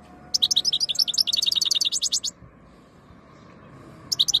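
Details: Goldfinch described as ready to mate sings a rapid, rhythmic stream of tinkling chirps for about two seconds, pauses, then starts another fast run.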